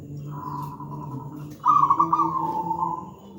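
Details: Local zebra dove giving a big, thick master song for untrained birds: a soft drawn-out coo, then a loud rapid rolling trill that trails away, over a steady low hum.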